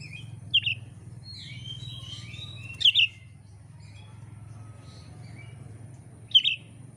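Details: Oriental magpie-robin from Indonesia, singing for songbird keepers' training: sparse, brief sharp chirped notes about every three seconds with faint twitters between them, over a steady low rumbling background.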